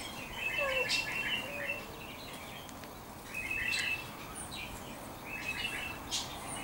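Fieldfare giving three bursts of harsh, rattling chatter, each about a second long. A few thin higher notes are scattered between them over a steady background hiss.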